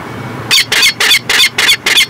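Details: Peregrine falcon at its nest in Montreal, Canada, 2017: a harsh, loud series of six grating notes in quick succession, roughly three per second, after a brief quiet start.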